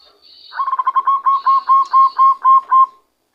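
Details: Zebra dove taken by trapping, now giving its own song: a long series of coos that quickens at first, then settles into even, clear notes about four per second, ending on a held tone, faint high whistle above.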